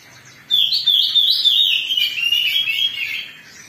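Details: Excited song of an Oriental magpie-robin meant to spur others to sing: after half a second of quiet, an energetic, unbroken string of sweet whistles and rapid trills, wavering and stepping downward for about three seconds.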